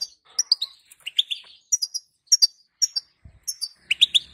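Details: Female European goldfinch giving calls that are meant to get a male singing: rapid, high, slightly descending twitters in pairs, ending in a denser cluster.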